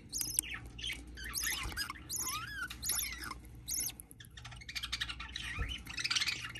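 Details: Newly hatching budgerigar chick making thin, high-pitched arched squeaks in quick clusters, some sliding down then up, with soft rustling and a faint background hum.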